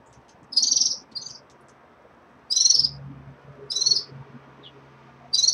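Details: Caged red-fronted serins at the start of their moult: short, buzzy, high trilled chirps given in small bursts about one to two seconds apart, with a faint low hum indoors.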